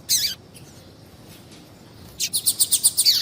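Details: Female double-collared seedeater call, used to stir males into singing: one short high chirp, a pause, then a quick run of about eight sharp, high, evenly spaced notes.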